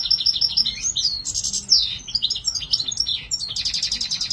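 A goldfinch sings a fast, unbroken stream of bright, tinkling twitters mixed with short buzzy and trilled phrases, high and lively throughout.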